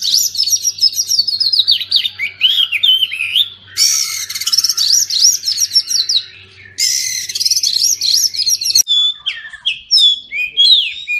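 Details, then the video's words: Oriental magpie-robin song for coaxing silent birds to sing: dense rapid twittering twice broken by harsh noisy passages, then an abrupt change to scattered clear whistles and chips. "Kacer pasti nyamber dan gacor klo dengar ini"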